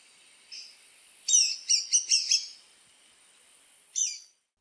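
A woodpecker gives sharp, high, squeaky notes: a single note, then a quick run of four, then one more, with faint background hiss.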